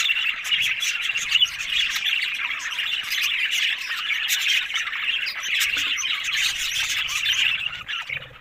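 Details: A group of happy budgerigars produces a thick, ceaseless twitter of chirps and scratchy notes, with loud clicks scattered through it.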